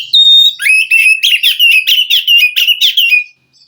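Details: Wild white-rumped shama from the forest singing to stir a captive bird reluctant to sing: a clear high whistle, then rapid repeated slurred, rising whistled phrases and harsh notes in quick succession for about three seconds.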